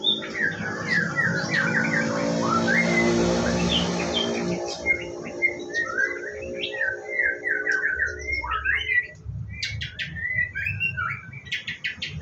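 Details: White-rumped shama at a bird farm, morning bathing routine: rapid rich song of whistles, trills and sharp clicks, over a loud hiss of water and low hum early on.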